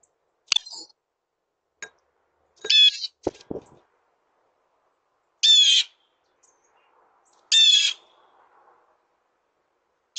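A blue jay gives three harsh, raspy jeer calls, each under half a second, spaced a few seconds apart, with a few clicks and a dull thump between.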